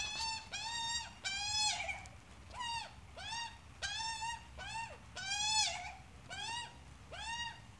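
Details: Australian magpie adult with its chick, giving a series of harmonic, arched squawks about half a second each, repeated every half second or so, some rising then dropping, with a few longer drawn-out wavering notes.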